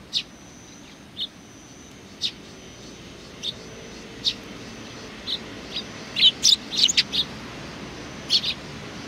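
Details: Sparrows welcoming someone, recorded 27 July 2020: sparse, high chirps that quicken into a cluster of overlapping tweets near the end, over a soft low hum.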